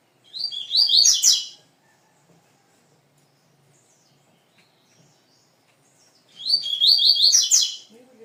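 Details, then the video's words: Young rusty-collared seedeater singing: two bursts of fast, rapid-fire twittering phrases about a second long, separated by around five seconds of near silence, each a tumbling run of high notes. "#coleiro #filhote #velocista"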